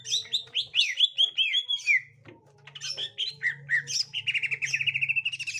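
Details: Gotri green leafbird facing a young wild green leafbird: fast run of slurred chirps, a pause, then rapid repeated trilling notes, with a low droning hum in the background.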